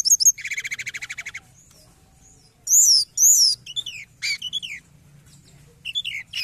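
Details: Forktail known locally as tledekan gunung, played as a lure for trapping: a fast buzzy trill opens, followed by loud, ringing upslurred and downslurred whistles and scattered high, piercing notes with quiet gaps.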